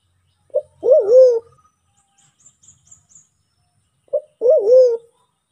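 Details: Sulawesi white-faced cuckoo-dove, used as a lure for trapping: twice a brief low note is followed by a long undulating coo, the pairs about three and a half seconds apart, with faint thin high notes in between.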